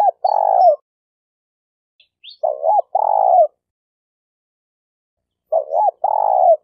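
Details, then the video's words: Decoy spotted dove used for trapping, Malaysia, repeating its low two-part cooing phrase three times about every three seconds. Each phrase is a wobbling short coo and then a drawn-out croo, with a faint high chirp in between. "Suara Burung Tekukur Denak"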